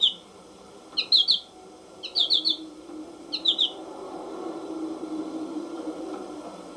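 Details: American goldfinch song, once sold on cassette tape: short bright twittering phrases of three or four rapid notes, repeated about once a second, with a low hiss in the background.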